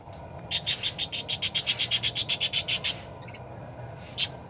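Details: Parakeet in full, lively song: a fast run of about eighteen bright, high chirps pulsing evenly for two and a half seconds, then a pause and one more chirp, over faint low hum.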